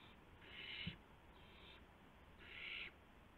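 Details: Owlets calling around midnight on March 19, 2016, while parent owls bring a gopher and mice to the nest. Two loud breathy screeches with a quieter one between them, plus a single soft thump.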